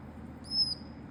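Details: A female green-cheeked conure of the pineapple colour form gives a single thin, high whistled squeak lasting about a third of a second. It holds a steady pitch and dips at the end over a faint low hum. The owner wonders what she wants with this strange sound.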